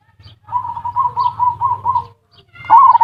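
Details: Zebra dove singing ngerot and kuwor style as a lure to stimulate mating and lazy birds: a slow series of wavering, bubbling coos, then a sharp rising note opening a faster run.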